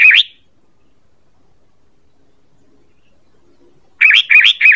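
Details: Sooty-headed bulbul call for luring birds: a single wavering whistled note, a long silence, then three identical rapid wavering notes in a row.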